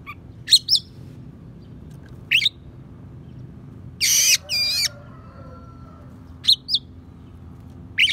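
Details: Oriental magpie-robin singing a repertoire that includes sparrow and prinia mimicry, meant for training other songbirds: scattered high chirps, then a rough scratchy burst followed by a looping whistle, with quiet pauses between notes.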